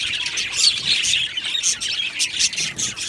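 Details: Aviary colony of budgerigar parakeets chirping together: busy high-pitched twittering with quick squeaks and warbled notes layered over one another, sustained steadily without pauses.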